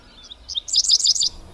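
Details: A Dickcissel sings in June 2021 in the open meadows and farm fields of Sax-Zim Bog, Minnesota, during an irruption year with dozens of pairs. Two thin introductory chips lead into a rapid, buzzy run of high notes.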